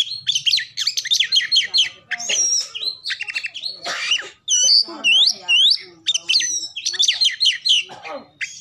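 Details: Oriental magpie-robin song played as a lure to get other birds singing and opening their tails: rapid, varied run of chirps, harsh squawky notes and clear rising and falling whistles, almost continuous with brief gaps.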